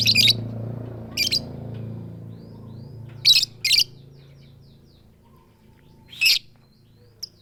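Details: Female lovebird calls to the male in the style called 'tik tik keyok', with no chattering: short shrill high bursts, single or paired, spaced a few seconds apart, above a low background hum.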